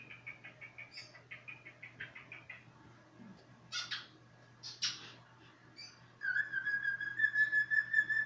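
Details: Cockatiel giving a run of short, evenly repeated chirps, then a few scattered harsher notes, then a long, steady, clear whistle held at one pitch through the final two seconds. A low, constant hum sits underneath.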